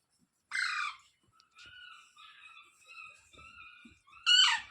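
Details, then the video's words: Parrot, locally called tota or mitthu, opening with a harsh banded squawk, then a run of softer rough chattering notes held at steady pitch, ending in another loud raspy squawk. "Parrot sound videos | Parrot voice | Tote Ki Awaaz | Mitthu Ki Awaaz"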